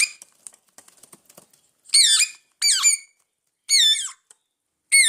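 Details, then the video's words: Hungry parrots indoors. Light tapping and scratching clicks come first, then four loud, grating squawks that dip in pitch, each about half a second long with short gaps between. "My hungry parrots"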